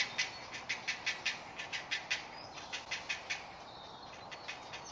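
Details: Very hungry great blue heron chick in a nesting colony at Delftse Hout, Delft, Netherlands: quick chattering clicks at several per second, pausing briefly midway then resuming, fading toward the end amid quiet woodland.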